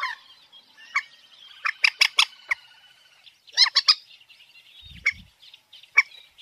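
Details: Common moorhen producing spaced bursts of harsh, rasping clucks, some grouped in quick threes and fours, separated by short pauses; a soft low thump is heard near the end.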